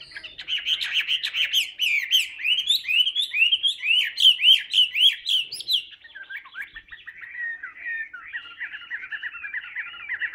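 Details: Chinese hwamei kept in captivity, singing while held in the hand: loud, rapid series of rising whistled notes repeated about four times a second, then a shift to quicker, buzzier chattering phrases.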